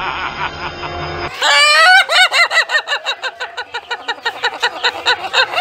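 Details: Ayam Ketawa, the laughing chicken, giving its villain-like laugh: after a second of background noise, a loud wavering crow-like start breaks into a long run of rapid, even, cackling notes about three per second, fading toward the end.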